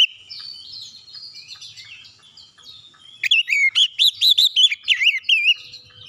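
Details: White-rumped shama singing to stir other shamas, opening with quiet warbling, then a fast string of loud, bouncing whistled notes.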